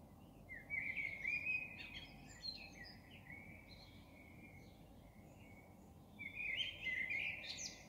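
Common Blackbird singing mellow, fluted warbling phrases, each trailing into a brief high twitter, with short pauses between; a steady low rumble sits underneath.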